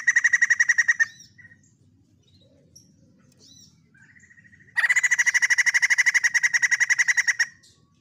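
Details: Vigorous song of a white-crested laughingthrush, with a one-second burst of rapid, rhythmic chattering notes, a few faint calls and a low background hum, then a sustained loud rattle lasting almost three seconds.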